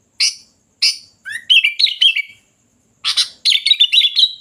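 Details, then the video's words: Sooty-headed bulbul song. Two rough, scratchy calls come first, then a rising whistle runs into warbling, bubbly notes. The pattern repeats after a brief pause. "Suara Kutilang Gacor Dorr"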